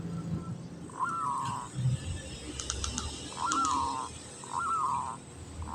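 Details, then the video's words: Local zebra dove in breeding condition, kantong semar ngretek style: three separate slurred, wavering cooing phrases a second or so apart, with soft clicks and low background hum. "Perkutut lokal kantong semar ngretek"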